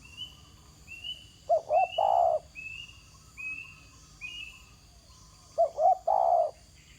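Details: Spotted dove calling on the ground, a mellow three-part coo repeated twice, while another small bird keeps up a series of short high chirps roughly every half second and insects hum steadily.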